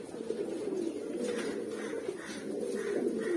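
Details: Several Mookee pigeons of red, black, yellow and silver colouring coo together, a continuous murmur of soft, wavering low notes with a few faint higher rustles.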